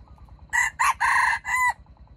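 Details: A trapped wild red junglefowl rooster, caught with bait, crowing loudly in four parts: two short strained notes, a long steady middle note and a downward-bending finish, over soft rhythmic low noise.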